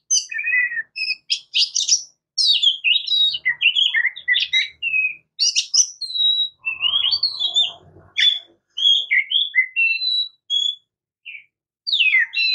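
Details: Varied song of an Oriental magpie-robin (murai kampung, kacer): bright whistled notes, rapid chirps and slurred phrases in quick bursts with short gaps, plus a brief low rustling noise partway through.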